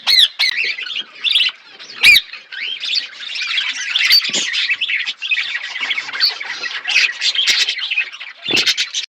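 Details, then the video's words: A flock of budgies chirping while eating food: continuous overlapping chatter of warbled and squeaky notes, with a few sharp clicks and taps mixed in. "Birds chirping beautiful budgies flocks birds eating food"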